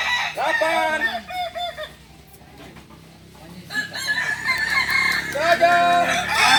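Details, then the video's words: Balenggek roosters crowing during a practice contest in Ampang Kualo, Solok, West Sumatra; strings of arched crow syllables, a quieter pause, then more overlapping crowing as a man counts and says the crow is finished. "Latberan ayam kukuak balenggek"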